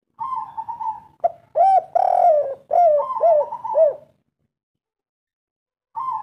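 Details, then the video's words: A spotted dove gives a three-part "kuk 3" local wild coo, a run of soft, hollow, throaty notes rolling together over four seconds, then a pause before another coo begins. "Derkuku kuk 3 lokal gacor ngamuk || suara asli pikat tua"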